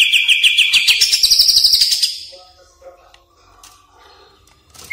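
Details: Greater green leafbird singing in a lure recording for caged birds: a fast buzzy trill that steps up to a higher pitch, then a quieter stretch of scattered soft chirps and faint murmuring.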